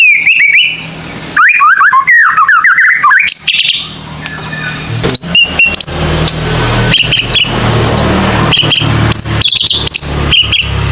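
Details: Shama lure song for young white-rumped shamas: a burst of varied whistled phrases and sweeps, followed by scattered high chirps over a growing broad background noise.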